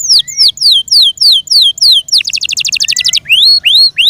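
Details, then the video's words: Yorkshire canary, kept as a pet, sings repeated falling whistles, then a dense rattling trill of short high notes, then finishes with rising upswept whistles. "THE BEAUTIFUL SOUND OF FI YORKSHIRE CANARIES"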